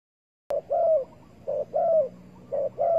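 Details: Spotted dove recorded during bird trapping with bare bait, 15 August 2020: three low hoarse coo phrases, each a short flat note followed by a longer drawn-out downslurred coo, repeating about once per second after initial silence.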